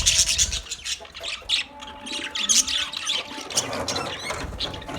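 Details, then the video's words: Budgerigars in a colony chirping: dense, overlapping high squawks and buzzy chirps in short bursts, with a faint low hum and a steady tone underneath. "Budgies chirping sounds"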